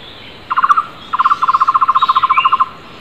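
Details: Flame-fronted barbet calling loudly in the wild among other wild birds: a short burst of rapid low, hollow notes, a pause, then a long even run of about twenty quick repeated notes; faint higher birdsong behind.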